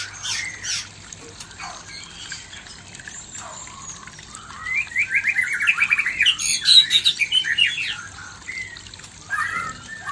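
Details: White-rumped shama male singing toward a female, used as sound therapy to raise breeding condition; a quiet start, then a loud run of rapid whistled and warbled notes in the middle, fading to sparse notes at the end.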